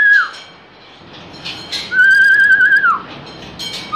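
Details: Pakistani talking myna, a pet bird, saying phrases like "Allah Hu" and "Allah": a clear whistled tone near steady pitch held for about a second, ending in a downward slur, with short noisy bursts around it.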